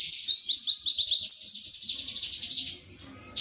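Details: Series of quick downslurred whistles from an Indonesian white-eye (pleci), repeated about every quarter second in 'tembakan materi' style, fading into a softer buzzy trill.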